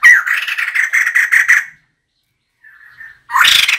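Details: Calls of a female White-crested laughingthrush, recorded as a decoy: a raspy series of quick pulses for about one and a half seconds, a soft brief note, then another loud harsh burst begins.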